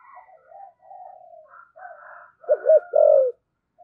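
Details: Decoy spotted dove cooing in the 'thổ' voice style with urging, continuous coos: soft, low, wavering murmurs, then a loud two-part coo, a short doubled note and a longer falling hoot.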